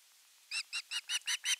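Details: Osprey chick in Finland, August 2021, begging for fish: six fainter, high, shrill piping notes rising in loudness over background hiss.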